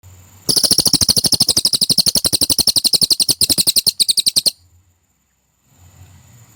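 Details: Cililin used as a training recording for competition birds: a rapid, high, sharp burst of about forty evenly repeated notes lasting four seconds, then silence and faint low background noise.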